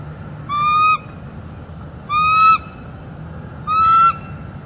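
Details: A bald eagle on a northeast Florida nest, filmed by live cam one December morning in 2021 around mating and incubation, gives three drawn-out, bright, harmonic-rich squealing notes spaced about one and a half seconds apart.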